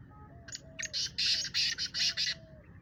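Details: Black francolin, a speeder kala teetar, calling in a contest between black francolins: one harsh, grating phrase of about six rasping notes, the last ones loudest and closely spaced, over a soft low hum.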